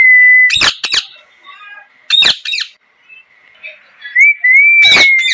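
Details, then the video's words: A parrot holds a steady whistled note, then breaks into harsh doubled squawks. After a pause it gives a wavering whistle that rises and levels off, followed by another loud rasping squawk. "Parrot Chirping Sounds | Natural Parrot Sounds | Parrot Calling Sounds"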